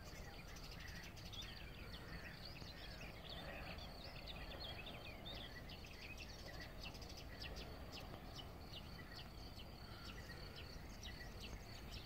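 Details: Several European bee-eaters at Savica Ornithological Reserve, Zagreb, Croatia, 25 May 2018, giving a busy chorus of short, liquid rolling chirps, overlapping continuously over steady low rumbling background noise; they hunt insects from perches.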